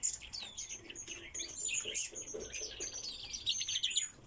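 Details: Captive Pallas's rosefinch gives a busy stream of high, thin chirps and twitters, overlapping without pause, with a faint low rumble beneath.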